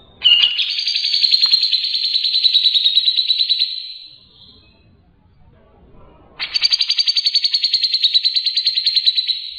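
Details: Grey-cheeked bulbul singing in the ngebren style, clear and lively, recorded as a long tutor track for training songbirds: a long, fast buzzy trill held high and even, a pause, then a second rattling trill.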